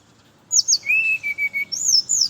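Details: Brown-chested jungle flycatcher morning song meant to lure other birds of its kind: sharp high descending whistles, a long steady whistled note, then short repeated whistles and a closing high slur.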